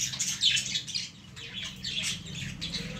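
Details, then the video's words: Young lovebirds among plants give a busy stream of high, scratchy chirps and squeaks, about four a second, over a low background hum. "love birds sounds"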